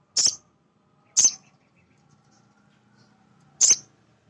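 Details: Genuine male sunbird voice used as a lure for untrained captive birds: three sharp, very high chips, widely spaced with a long quiet gap before the last, faint low hum underneath.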